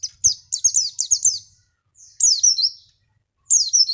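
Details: Javan white-eye singing as a lure for other birds: a fast series of sharp, high falling chirps, then two longer sliding whistled phrases after pauses, with soft low knocks in the background.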